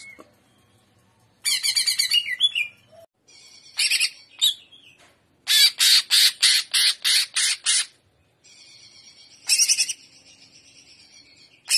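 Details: Greater green leafbird in trotolan-style full jamtrok song: loud, harsh, rattling bursts of rapid pulses, the longest a string of about ten sharp notes, separated by short gaps and a few softer squeaky notes.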